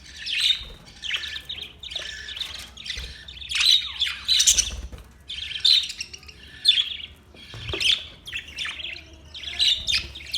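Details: Chattering budgies: dense, overlapping high warbling chirps come in clusters roughly every second, with squawky accents and brief pauses between bursts.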